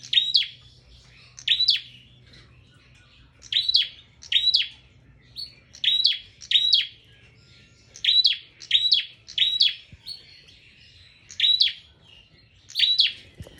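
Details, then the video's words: Persistent prinia song: sharp, high, clipped chirp phrases, often in pairs, repeated over and over across many seconds. A faint low hum sits behind them. "burung prenjak full gacor"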